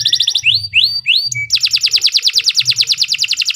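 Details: Canary song used as a training recording for young birds: a few rapid high trills, then three loud descending swoops and a brief steady tone, followed by a long fast buzzy trill near the top of the range, with faint low hum beneath.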